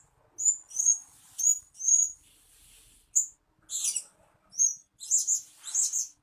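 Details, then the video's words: {'caption': 'Decoy calls of a blue-crowned hanging parrot for luring birds. Repeated high, thin squeaky tsee notes come almost every half second, then fuller, louder shrill chattering bursts.'} "Suara-Suara Denak Pemikat Burung Serindit Dada Merah"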